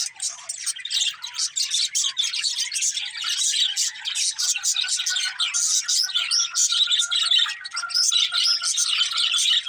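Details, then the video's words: Budgerigars chattering in a flock: rapid, overlapping squeaky chirps and warbles run steadily for nearly ten seconds, pulsing in short bursts, with a faint steady tone underneath. "Cute Budgies Chirping Sounds"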